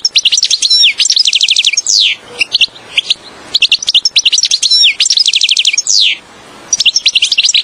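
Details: European goldfinch song played to lure goldfinches for trapping: dense, fast, liquid twittering with trilled runs and buzzy descending notes, two long phrases nearly continuous with a brief gap between them.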